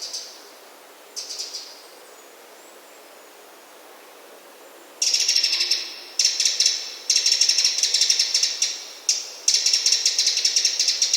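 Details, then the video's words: A Eurasian wren calls with dry, rapid, high-pitched ticking rattles in bursts of about a second, after two brief faint notes at the start. "Eurasian Wren - Bird Sounds"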